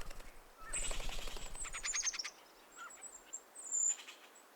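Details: Canada jay giving a harsh, rapid chattering alarm call, signalling a nearby predator, on a frosty hoarfrost morning. The chatter lasts about a second and a half, then a thin high note and a brief raspy burst follow over a low rumble.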